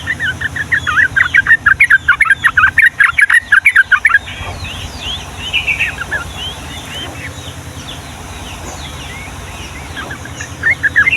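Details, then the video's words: Long rapid-fire trucukan song in the Ngombak Banyu style, played to train young yellow-vented bulbuls: four seconds of loud, fast, bubbly chattering notes, then quieter scattered whistles and a few returning chirps. "SUARA BURUNG TRUCUKAN GACOR ROPEL PANJANG UNTUK MASTERAN DAN PANCINGAN TRUCUKAN PAUD"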